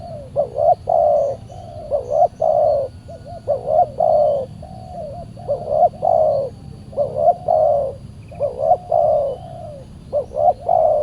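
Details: Very aggressive wild spotted dove responding to a decoy during trapping on a Saturday; continuous series of low, rounded coo phrases, short hooked notes leading into longer coos, repeated rhythmically roughly every second or two.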